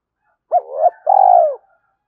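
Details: Close spotted dove cooing, used to quickly rouse wild doves: a rising hooked note sliding into a softer tone, then a long, loud, purring coo that falls slightly in pitch.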